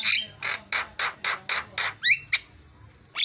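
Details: Javan myna fill-in song from a training recording. A fast run of about eight raspy, grating bursts is followed by two sharp rising whistles and a final harsh note after a pause.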